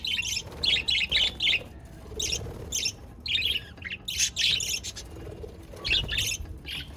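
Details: Budgerigar chirping from 22 January 2024, heard as short, separated bursts of sharp, high twitters, roughly one burst every half second, with quiet pauses between groups.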